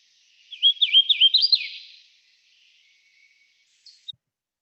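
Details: Hooded Warbler, one of the birds found around Camp Canopy, Carroll County, Ohio, singing a loud, clear phrase of rolling whistled notes, ending with an emphatic downslur.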